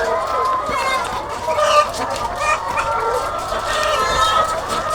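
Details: Thousands of egg-laying hens on a farm: a dense, continuous chorus of overlapping clucks, squawks and drawn-out cackles, loud and unbroken throughout, with no single bird standing out.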